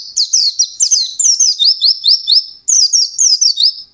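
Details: Fast ngalas song of an intensely singing white-eye, rapid high twittering of clipped, down-slurred notes in tight pulses, with a short break before the next energetic phrase.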